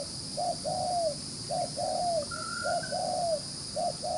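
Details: Wild-caught spotted dove cooing rapidly and eagerly: a short low note followed by a longer slurred coo that dips at the end, repeated four times in quick succession, with a brief higher whistle from another bird midway and a faint steady hum.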